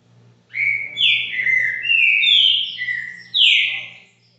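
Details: Green-winged saltator, a captive bird kept at a home in Brazil, singing loud clear whistled phrases that slide up and down, several linked notes in one continuous run over about three seconds, with a steady low hum behind.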